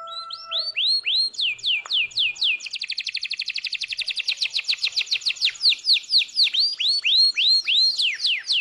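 A canary sings bright, looping whistled sweeps, breaks into a fast rolling trill of rapid notes, then returns to high, ringing swept phrases.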